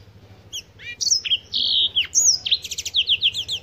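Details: Black-throated canary from Africa singing a brisk phrase: short slurred whistles, a sustained buzzy note, then a quick run of repeated high chips, with a low hum beneath.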